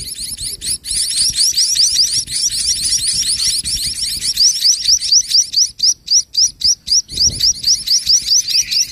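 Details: Munia chicks being fed by their mother toward evening, when she feeds them until their crops are full: a dense, continuous stream of high, rapid, scratchy chirps, briefly broken into pulses near the end, with faint low rumbling.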